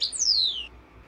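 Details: Goldfinch song for training caged birds: a brief high chirp followed by a long clear whistle gliding smoothly downward for over half a second, then only faint background hum.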